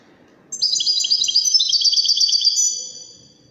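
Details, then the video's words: Moroccan European goldfinch of the Wedani song style giving one rapid, continuous silvery trill of chattering notes, lasting about two seconds. "تغريد و سيمفونية الحسون الويداني من المغرب الشقيقة"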